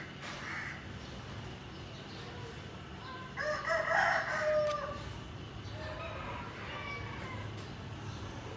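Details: White Leghorn rooster crowing once, a drawn-out harsh cock-a-doodle-doo lasting about a second and a half, over steady low background hum.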